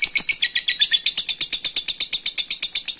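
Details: Lovebird calling a rival with ngekek, a long chatter: rapid, evenly repeated high buzzy notes, about four a second, falling slightly in pitch at first and then running on steadily.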